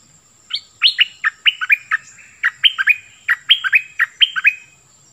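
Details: Decoy Cream-vented Bulbul in full song, repeating warbled, bubbling phrases of falling and rising notes, steady and loud through the recording.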